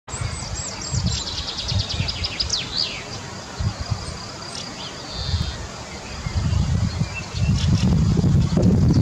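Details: A Fieldfare (Turdus pilaris) calls: a quick run of thin, high squeaky notes and a few downward-slurred squeals in the first three seconds, over steady low wind rumble.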